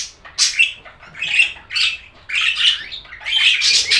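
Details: Pet budgies chirping: loud, separate bursts of buzzy, squawky warbles roughly every half second to second, growing into nearly continuous chatter by the end.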